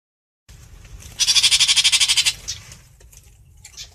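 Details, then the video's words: Long-tailed shrike calling the flock: one loud, harsh, rasping burst of about a dozen rapid pulses lasting roughly one second, followed by faint scattered chirps. "Chim Bách Thanh (Chàng Làng) hót gọi bầy"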